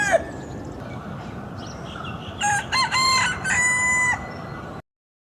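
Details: A rooster (domestic chicken) crows a loud, hoarse cock-a-doodle-doo of about two seconds: a few clipped opening notes, then a long drawn-out final note, over a steady background hiss.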